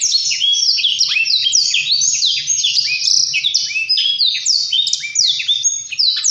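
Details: Continuous high-pitched Blackthroat song: rapid falling whistles and twittering trills packed closely together, sustained and vigorous from start to finish.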